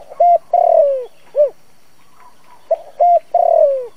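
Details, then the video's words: Spotted dove used as a trapping lure, cooing in the 'giọng thổ' style to draw in wild doves. Two full phrases, each a few short hollow coos followed by a long, slurred, descending coo. Quiet background. "Tiếng cu gáy dùng cho loa bẫy, cu gáy mồi cây kích bổi nhanh nổi"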